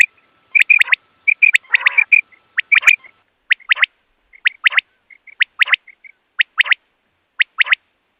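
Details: Quail song for trapping common quail: bright clipped triplets repeated about once a second, with soft linking notes and one short raspy burst early on.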